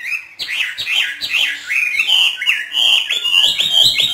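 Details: Hwamei from northern Vietnam, kept by a bird keeper and trained for free singing, delivers a dense run of loud, varied whistled phrases that swoop and rise quickly, with notes tumbling almost continuously.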